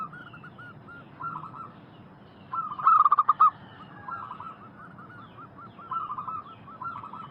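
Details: Zebra dove lure song meant to draw replies from wild doves. One loud stuttering burst of quick pulsed coos stands out, surrounded by fainter, rolling coo phrases from more distant doves throughout.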